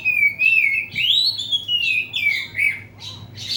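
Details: Caged oriental magpie-robin singing inside a covered cage to provoke rivals: a loud, continuous whistled warble of sliding, rising and falling phrases, sweet and varied, with a faint low hum beneath.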